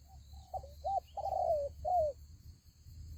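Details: A single phrase from a spotted dove serving as a trap lure in Vietnam: soft lead-in notes, a quick hooked note, then a long level coo dropping at the end and a final falling coo.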